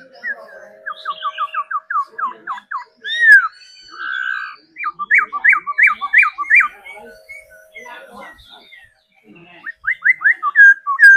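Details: Laughingthrush kept for song training delivers rapid bursts of sharp downslurred notes in quick series, with a hummed steady tone and scattered chips between the bursts.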